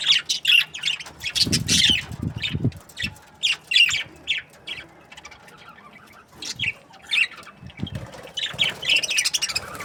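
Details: Chattering budgerigars from breeding pairs. Bursts of raspy, warbling chirps come in quick succession, with dull low thumps and a fluttery patch early on, a lull in the middle, and dense chatter returning at the end.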